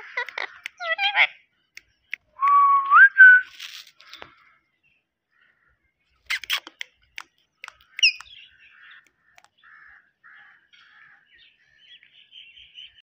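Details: Green pet parrot, indoors, mixing quick chirpy squeaks with a clear whistle that rises and then holds, followed by scattered clicks, short squeaks and soft high twitters trailing off.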